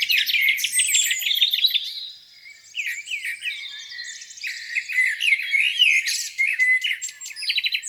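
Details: Spring morning lakeside bird chorus with high chirping, quick twittering runs and thin whistles from multiple singers overlapping.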